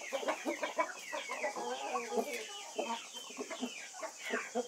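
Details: White-faced Black Spanish chickens in a flock, giving dense, overlapping clucks and short cackling notes that rise and fall almost without pause, several birds calling at once.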